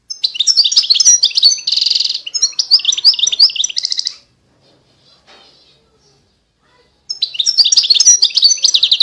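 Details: European goldfinch (Carduelis carduelis) recorded in 2020 singing a fast, tinkling jumble of high twittering notes and buzzy trills, falling silent for about three seconds, then resuming.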